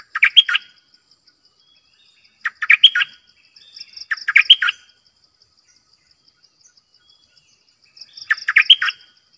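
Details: Decoy bulbul delivering four brisk warbling bursts of tumbling, chortled notes, the gaps filled by a soft, continuous high-pitched pulsing hum.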